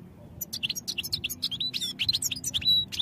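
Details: European goldfinch singing for training purposes: a continuous, fast, liquid twitter of high chirps and short buzzy and whistled notes, densely packed throughout, over a slight low hum.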